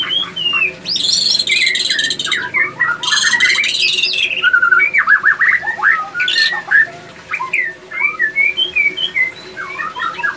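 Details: Breeding male white-rumped shama at a breeding aviary sings vigorously: rich, varied whistles, chattering trills and fast note runs, mixed with loud harsh buzzy bursts, in an unbroken energetic sequence.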